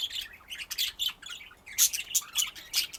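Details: Budgie chatter of quick high chirps and short squeaky notes in uneven bursts, louder and sharper in the second half.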